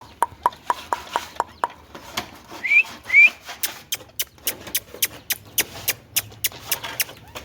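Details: Indian ringneck parakeet indoors, giving sharp clicks repeated about twice a second, broken by two short rising whistles in the middle, with a faint hiss of room noise behind.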